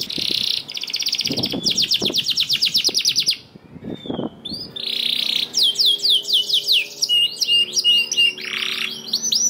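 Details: Canary song as a lure for non-singing canaries: buzzing trill, a run of fast clicks, a short lull, then arched whistled notes and chatter, with low thumps in the background.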